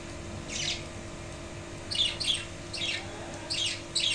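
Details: Pet budgerigars in a wooden cage, settling back to normal after the male's death while chicks wait in the nest box, give short, bright, scratchy chirps, about six in four seconds, over a faint steady hum.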